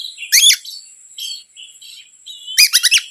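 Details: Oriental magpie-robin song played to provoke other birds: a loud rattling burst, quiet fluting whistles, then a fast series of sharp scratchy notes, with a steady thin hum throughout.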